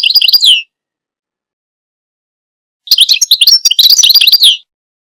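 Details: Goldfinch song in two phrases: a short run of quick high chirps, a pause of about two seconds, then a longer tumbling stream of twittering, liquid and buzzy notes.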